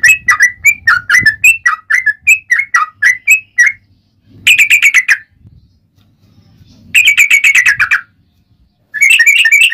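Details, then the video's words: Yellow-vented bulbul in fighting mood, used as a lure: bubbly notes in series, then rapid buzzy rattling trills separated by silences. "SUARA trucukan gacor ROPEL PANJANG buat Pancingan trucukan agar bunyi"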